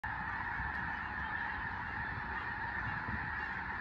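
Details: A large flock of snow geese on Fir Island, Skagit Valley, western Washington, taking flight when a raptor such as a bald eagle passes over, gives a steady unbroken wall of overlapping nasal honks and yelps.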